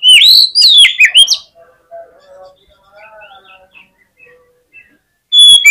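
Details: Oriental magpie-robin singing fighter-style to provoke rival birds into persistent singing. Loud, rapidly warbled whistles open the clip, followed by quieter soft notes, then another loud, clear whistle burst at the close.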